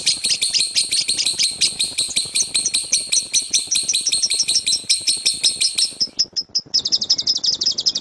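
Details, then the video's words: Lovebird giving a loud 'tembakan' rattle, used as a master recording for birds: about six seconds of fast, shrill chattering notes, a short pause with a few separate chips, then a tight, buzzy trill. "LOVEBIRD SUARA GEMURUH TEMBAKAN BURUNG LOVEBIRD"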